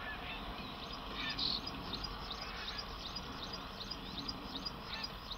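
Common shelducks give short, nasal, goose-like calls repeated over and over from several birds at once, against a steady background rush of wind or water.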